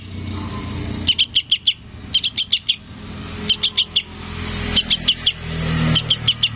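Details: Fledgling sooty-headed bulbul begging to its parent with tight clusters of four or five shrill, clipped chips, six bursts in under seven seconds, with a steady traffic drone beneath.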